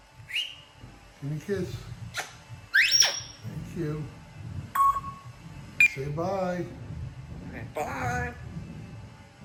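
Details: Captive female African grey parrot indoors, mimicking words and sounds including whistles and telling the dog to sit; sharp rising and falling whistles and clipped voice-like syllables, mixed with a person's speech.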